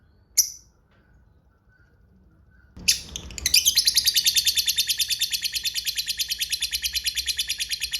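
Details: Lovebird giving a long ngekek trill used as a lure to make other lovebirds answer: after a brief chirp and quiet gap, a loud high rapid chattering trill starts near three seconds and runs on steadily, about three pulses per second, to the end.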